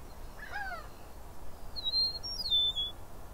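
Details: Eastern meadowlark in Southern Ontario, Canada, giving a clear whistled phrase of slurred notes that step up and then glide down, about a second long. Fainter, lower bird calls come first, over soft rural background noise.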